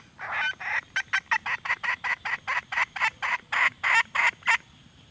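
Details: Hen red junglefowl clucking in a long, fast, fairly even series of about sixteen harsh notes, several per second.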